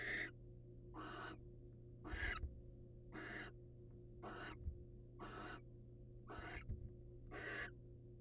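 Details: Wild barn owl pair, prey handed from male to female: eight rasping, airy hisses spaced about a second apart, with soft bumps beneath some of them.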